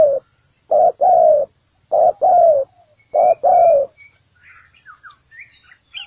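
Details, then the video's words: Ground-decoy spotted dove calling to lure birds into a trap, bổi thokens bổi thổ style: three short-long coo pairs, then quiet with scattered high twittering of other birds. "Bẫy cu gáy mồi đất, bổi thổ đủ bài"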